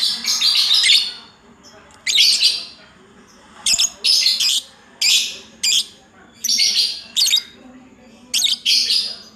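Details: Lovebird's 'ngacor' singing is heard as scratchy, buzzy bursts of high chatter in irregular runs, some in quick pairs, with brief quiet gaps between them.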